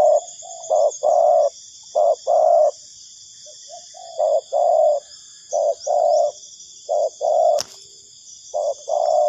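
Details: Spotted dove used as a lure for trapping, calling repeatedly: low mellow phrases of a brief note followed by a longer coo, grouped in pairs and repeated about every second and a half, with a steady high insect buzz behind.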